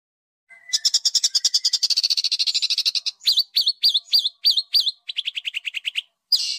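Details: Kept songbird training recording in rough besetan style: a rapid buzzy trill, then looping up-and-down whistled notes, followed by a descending series of short chirps.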